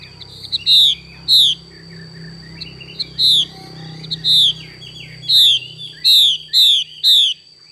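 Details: Xùy calling by a female Chinese hwamei, eight bright downward-sliding notes in uneven bursts with gaps between, set against a low background hum and scattered soft chatter.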